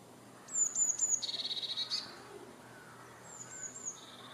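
A Eurasian blue tit sings a few very high, thin notes, then drops into a quick, even trill; a fainter second phrase follows after a short pause.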